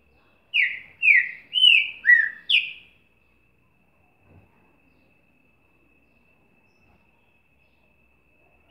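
A Green-winged Saltator sings a quick run of five loud, rich whistled notes, each sliding downward, about half a second apart, followed by quiet.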